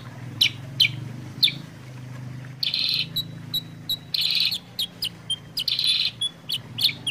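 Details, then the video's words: Sooty-headed bulbul singing a lively, clear song meant to trigger and train other birds. Sharp high chips open the phrase, then buzzy trilled bursts alternate with thin whistled notes. A faint low hum runs throughout. "pancingan suara kutilang sutra gacor jernih"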